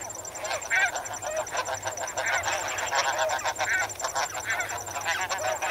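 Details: A flock of snow geese calling while swimming and wading in water gives a dense, overlapping chorus of nasal honks and yelps, with a steady high cricket trill running underneath.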